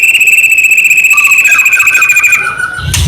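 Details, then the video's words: White-rumped shama song meant to spur other shamas to sing: a sustained high whistled note with fine rapid warble, lower notes joining midway, ending in a brief noisy burst. "murai batu gacor AMPUH buat PANCINGAN murai batu agar bunyi"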